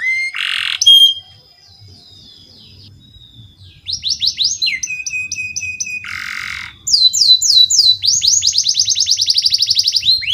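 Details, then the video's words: Canary lure song for tutoring young birds: a loud harsh burst, a quiet gap, then whistled flat notes, another rasping burst and closing rapid rising-falling trills. "SUARA BURUNG KENARI PANCINGAN MASTERAN PAUD BIAR GACOR PANJANG"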